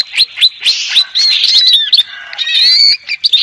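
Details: Greater green leafbird used to provoke another bird's song, delivering a dense, busy stream of sharp chips, buzzy overlapping whistles and slurred phrases with little pause, sounding like rapid excited chatter.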